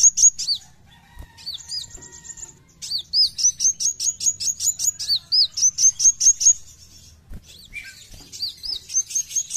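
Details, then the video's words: Kowul, the brown-throated sunbird, in full besetan gacor song: dense bursts of high, quick repeated chipping notes, some hooked and slurred, about two per second, broken by short silences. "KOWUL GACOR FULL BESETAN"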